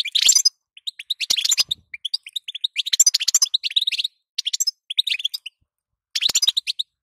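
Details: Female European goldfinch giving its batbata call, used to stir a male into singing: bursts of bright, high twittering chirps in quick runs, separated by short pauses, with a sharp click near the start.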